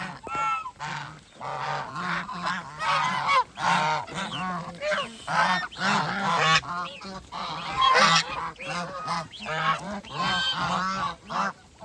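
Geese honk and gabble almost continuously, overlapping nasal calls in quick bursts with a low steady undertone, several birds calling at once.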